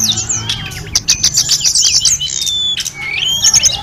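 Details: Snowy-browed flycatcher in full, lively song packed with inserted phrases, used to train other birds: rapid high chirps and trills, then clear level whistles and short twittered bursts.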